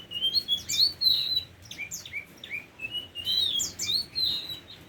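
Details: A tame Oriental magpie-robin sings bright, rich whistled phrases, bursts of rising and falling notes separated by short pauses, repeated several times over the recording.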